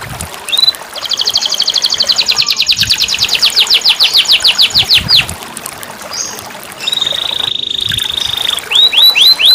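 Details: Singing canary, played as therapy for birds that have stopped singing: a long accelerating buzzy trill of about four seconds, then a steady whistled tone and a few quick sweeping notes.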